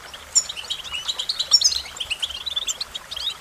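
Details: High twittering song of the American goldfinch, a continuous chatter of short chips and tinkling notes with one bright whistle near the start, steady and busy throughout.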